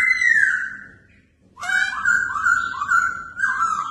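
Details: Red-whiskered bulbul trained for fighting competitions: a long falling whistle, a brief silence, then a lively chain of loud, slightly wavering whistled notes.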